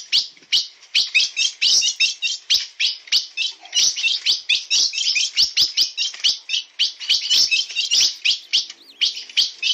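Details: Blue-black grosbeak singing in the bico de aço song style: a dense, unbroken run of quick high twittering notes, several per second, with no pauses and no other sounds.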